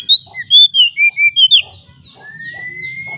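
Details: Lure song of an Oriental magpie-robin, played to make stressed caged birds sing, with a quick run of clear whistled notes stepping downward, then a long slow rising whistle after a short pause, over a faint low hum.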